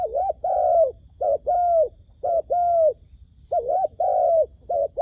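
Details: Dove used as a trapping decoy, cooing to draw in wild doves. Paired notes, a brief dipping coo then a drawn-out steady one, come in quick succession for five seconds with faint background hiss.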